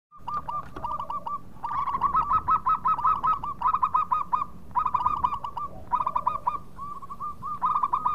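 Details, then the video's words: Local zebra dove, loud and persistent singer, used as a lure for birds in breeding mood: clustered series of short cooing notes repeated in quick bursts, several phrases overlapping and closely spaced, steady low background hum. "Perkutut Lokal Gacor Suara nyaring cocok Nikan birahi"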